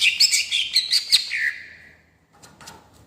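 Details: Greater green leafbird singing in a rolling style, used to provoke and excite other birds: a bright, high chattering phrase of quick twittering notes ending in a falling slur, followed by faint scattered chirps.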